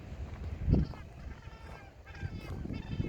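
Cape gannets give harsh, nasal, bleating calls, several overlapping in quick succession, over a steady low rumble of wind or surf.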